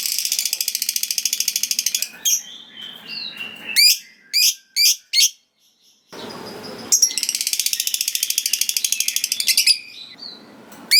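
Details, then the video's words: Long ngekek trilling of a lovebird, meant to draw answers from rival lovebirds: two extended runs of rapid buzzy pulses around short sharp chirps and a brief hissy noise between them. "Suara Burung Lovebird Gacor Ngekek Panjang Bikin Lovebird Lawan Langsung Nyaut Ngekek"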